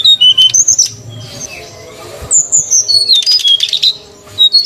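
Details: Srdc birds, male and female, calling as a lure for wild birds: separate clear high whistles, descending whistled slurs and brief chirps, with quieter pauses between bursts.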